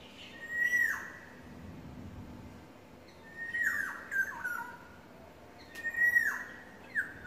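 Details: Courting yellowbird singing three widely spaced phrases, each a sustained high whistle bending sharply downward, separated by pauses of about two seconds; soft background hum.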